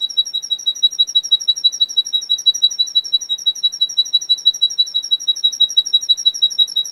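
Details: Male Russian canary from a breeder in Miami, Florida, singing on a training recording: a steady, rapid chain of bright, high chirped notes repeated about three times a second, unbroken for the whole stretch, with no other sounds.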